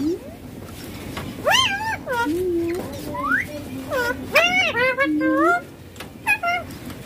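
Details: A green ringneck parakeet chatters in speech-like mimicry as it plays on a mobile phone. Quick run of rising and falling harmonic syllables packed in the middle, with a low, drawn-out note and a low background hum.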